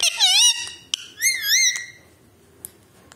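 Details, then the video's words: Talking Alexandrine parakeet kept indoors producing shrill, rippling whistled phrases, two wavy bursts within about two seconds, then near silence with faint clicks. "Talking Parrot / Bolne wala mitthu"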